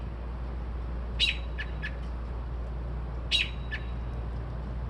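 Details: Night-singing bird heard at 2:30-3:00am, reported to imitate car alarms and sparrows; two sharp high chips, each followed by a few softer ticks, about two seconds apart, against a constant low droning hum.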